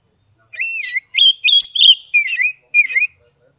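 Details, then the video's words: Oriental magpie-robin of Kebumen, Central Java, in 'ngeplong' song: five or six loud, ringing whistled phrases, each a rich slurred note with overtones, delivered in quick succession with short gaps. "SUARA KACER NGEPLONG untuk terapi kacer bisu, malas bunyi, langsung respon dan gacor"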